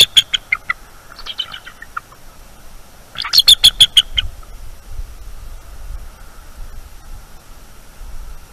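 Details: Eagles defending their nest from a nocturnal owl intruder, nest cam, 23 October 2021: a quick high chatter, a few softer notes, then a loud rapid burst of piercing notes before quiet.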